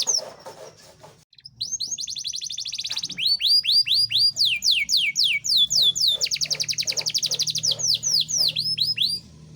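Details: Caged Yorkshire canary song meant to rouse lazy canaries and encourage mating: rapid rolling trills interleaved with loud downward-sweeping whistles, sustained and vigorous over a faint low hum.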